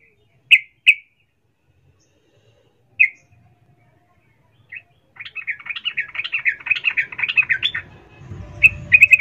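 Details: Calling female sooty-headed bulbul: a few sharp isolated chirps spaced by silence, then a sustained rapid chattering run and more chirps near the end.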